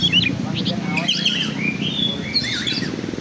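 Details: Oriental magpie-robin, black-and-white form, in a showy singing style: short bursts of bright whistled slurs and chirps, with voices talking and a low background hum throughout.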